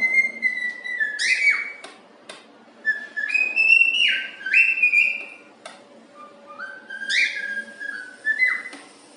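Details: Happy cockatiel whistling If You're Happy And You Know It in a small room, with knocking: several ringing whistled phrases with upward slides and held notes, broken by sharp knocks between the phrases.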